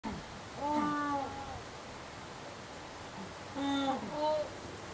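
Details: An adult African penguin gives two short, nasal, honking contact calls, used to keep in touch with colony members out of sight, each a steady down-slurring note about three seconds apart, over a soft rushing background.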